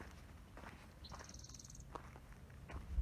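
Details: A Spotted Towhee gives one short, high, rapid trill of evenly repeated notes after a lead-in note, heard over footsteps on the oak tree loop trail at the southern end of Wildwood Canyon State Park on June 20, 2020.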